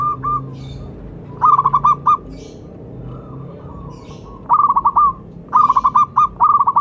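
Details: Local zebra dove giving its calling song for luring. It sings repeated runs of rapid rippling coos, with softer coos between them. Faint high chirps of other birds can be heard in the background.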